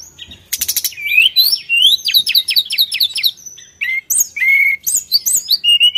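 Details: Sulingan singing prolifically, used as a lure sound for other birds: a quick buzzy burst, then a long run of clear rising whistled notes, high sharp chips and short trilled phrases, all high-pitched with brief pauses.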